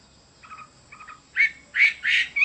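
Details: Chinese hwamei: two faint stuttering notes, then three loud, harsh, full-toned bursts in quick succession.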